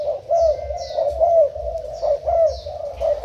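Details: Spotted dove decoy bird of Thai type, recorded 10 April 2018, gives low, mellow coos in rounded phrases repeated roughly once a second, each phrase swelling then dipping, with a few thin higher chirps above.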